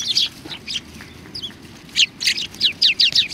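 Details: Sparrows coming to be fed at a Tenmangu shrine in November 2020; scattered chirps at first, then a brisk series of sharp descending chirps.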